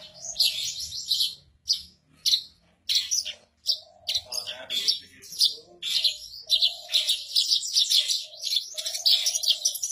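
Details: Javan bush lark, a kept bird perched calmly on a stone, in active rolling song: dense bursts of high chirps and trills, broken by short pauses, with a steady lower hum-like tone beneath.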